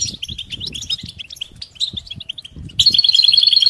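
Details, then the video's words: Goldfinch calls intended to stir a silent male into song: spaced, sharp chirps and short twitters, followed near the end by a louder, rapid string of repeated bell-like notes. "بتبتة فعالة و ستستة فتاكة رهيبة في علاج صمت الحسون"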